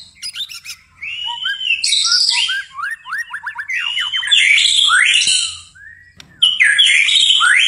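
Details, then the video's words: White-rumped shama (murai batu) singing at night in gacor style: quick chips, a run of rapid descending notes, then loud, rich whistles mixed with harsh, buzzy high sounds, with a short pause near the end. "murai batu tetap gacor di malam hari"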